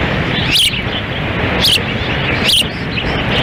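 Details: Windy feeding at the Dunrovin Ranch osprey nest, Lolo, Montana, June 10, 2017, with the female feeding and the male standing by. Three sharp, whistled chirps come about a second apart, half buried in strong wind.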